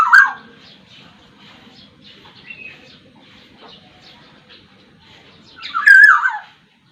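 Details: Black-naped oriole of the Sumbawa variety; a loud fluty phrase at the start and another near the end, each a downward-sliding whistle with rasping edges, soft faint chatter in between.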